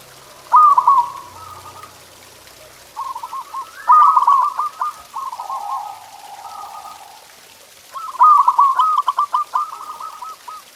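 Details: Zebra dove (perkutut) masteran song for encouraging pet doves to sing, with loud trilled coo phrases repeating about every four seconds while a second, lower steady cooing voice overlaps in the middle.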